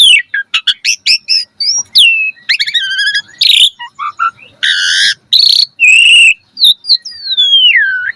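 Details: Asian pied starling song used to train kept birds to sing, a fast varied medley of whistles, rising and falling slurred notes, harsh buzzy bursts and rattling chatter packed into quick bouts.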